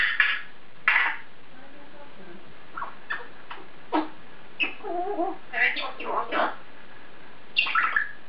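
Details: Caged African grey parrot talking to itself: short speech-like syllables and muttered phrases spaced by pauses, with a denser burst of chatter mid-way and a final word near the end.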